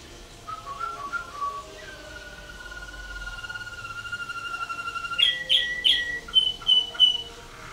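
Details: Waterslager canary in a contest cage at the 2011 WWC event, judged 114 points, 6 Klok and 5 Bol: short rolled notes, a long smooth gliding tone, then loud spaced bell-like notes and closing clear tones.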